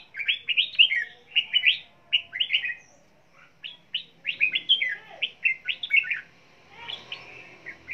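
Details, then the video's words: Red-whiskered bulbul singing while flapping its wings: lively chattering phrases of quick warbled, whistled notes in bursts, a short pause near the middle, then more rapid phrases and a softer rustle at the end. "Chào Mào Vừa Hót Vừa Vỗ Cánh"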